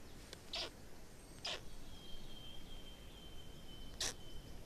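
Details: Black stork chicks in Estonia, 18 May 2019, the day of the fourth chick: three short, harsh, hissing bursts spaced unevenly, with a thin, steady whistled tone from another bird running beneath them.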